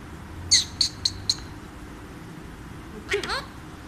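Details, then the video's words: A talking pet Alexandrine parakeet named Mithu repeats a short, high, word-like phrase of four clipped, nasal syllables, then pauses and gives a harsher, falling squawk; the background is otherwise quiet. "Alexandrine Parrot Talking"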